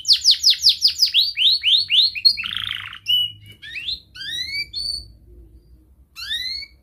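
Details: Young canary, played as a tutor for young canaries, opens with a fast run of falling slurred notes and a buzzy burst, then gives spaced, sweeping upslurred whistles over a faint low hum.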